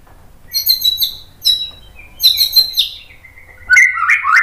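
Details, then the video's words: White-rumped shama song used to provoke other birds into singing: bursts of high chirped notes with buzzy upper harmonics, pausing between phrases, ending in rising whistled slurs; faint low hum underneath. "TEMBAKAN MURAI BATU biar NYAUT ikug GACOR BONGKAR MATERI ¦ PANCINGAN MURAI"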